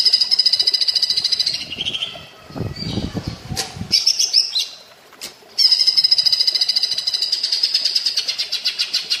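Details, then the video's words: Cucak ijo, or greater green leafbird, singing platuk bawang-style master song: long runs of rapid high repeated notes, broken mid-way by low rumbling, scattered chirps and a sharp click before the fast high series returns steadily. "Masteran cucak ijo rasa platuk bawang +terapi air"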